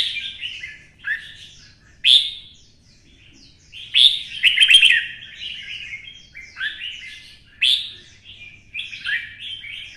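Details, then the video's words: Vietnamese red-whiskered bulbul, twisting voice, fired up into a fighting song. Repeated loud, sharp-onset whistled phrases every one to two seconds, one long rolling trill in the middle, and softer chattering notes between. "CHÀO MÀO | Giọng xoắn - Kích chim xổ bọng căng lửa hót đấu"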